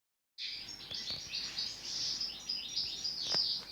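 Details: European goldfinch singing a continuous woven song, known as pletivo, with notes running into one another without pause: dense, high, tinkling twitters and buzzy trills, with a few sharp clicks.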